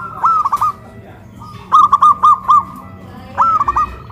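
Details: Caged zebra dove on a raised pole in Kuningan, West Java, cooing loudly: three rolling, stuttered phrases of quick rounded notes with short gaps.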